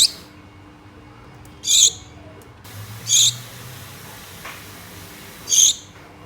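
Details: Gouldian finches, a pet pair at home, calling mate: four short high buzzy notes spread unevenly, roughly every one to two seconds, over quiet indoor hum and a faint low rumble.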